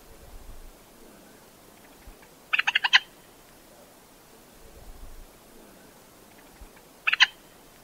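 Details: Common moorhen giving two bursts of rapid, harsh stuttering clucks about four seconds apart, over steady background hiss and low rumbling noise.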